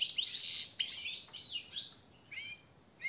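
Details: Training song of a European goldfinch for captive birds: dense, rushing twitters with buzzy, nasal notes at the start, thinning into a few ringing, layered chirps before falling quiet.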